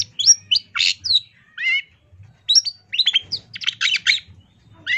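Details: Songbird training master of a long-tailed shrike in full tembakan style: bursts of high whistles, rasping buzzes and quick chatter with short pauses, and a faint low rumble beneath.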